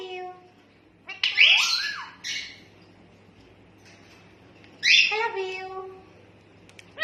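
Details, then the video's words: Talking rose-ringed parakeet mimicking speech: two raspy, harmonic voice-like phrases, each about a second long and rising then falling, separated by quiet with a low steady hum underneath. "Talking ringnack"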